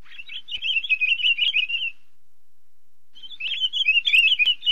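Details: Female great-billed seed finch giving a fast, jumbled twittering warble, a continuous run of quick chirped notes at an even pitch for about two seconds, then a pause and another burst, with a couple of faint clicks.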